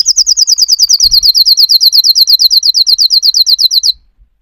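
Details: A rapid, even canary trill: bright whistled syllables repeated about eight times a second for nearly four seconds, then stopping abruptly. One soft thump sounds partway through.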